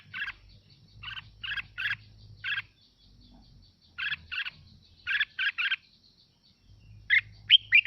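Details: Red-whiskered bulbul song played to fire up other birds. Chattering bursts of two or three harsh chirps repeat in groups, then give way to rising clear whistles at the close, over a faint persistent whine and low hum.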